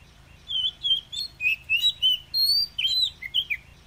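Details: Oriental magpie-robin with wild 'kéo thuốc lào' song, used to excite low-spirited newly caught birds: a series of clear whistled notes, some long and level, others bending downward, spaced by brief pauses.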